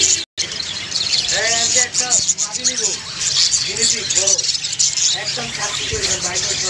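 Several budgerigars chattering together in a continuous stream of short, warbled, scratchy notes, with a steady bright hiss running underneath.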